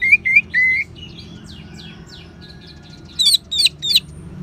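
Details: Ngeban-style song of an Orange-headed thrush, played to prompt caged birds to sing: three clear whistled notes, a soft warbling passage, then three loud ringing high chirps.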